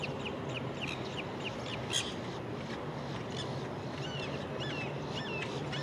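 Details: Nanday parakeets at Land O' Lakes, Florida, in November 2023 give harsh, rising screeches, several per second at times, over a steady low rumble of background noise.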